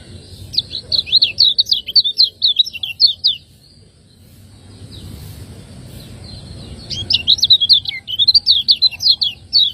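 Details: Lemon-bellied white-eye, a contest cage bird from Lombok, in a training master song: fast rattling series of sharp chirped notes, a pause with low background hiss, then another rapid chattering burst.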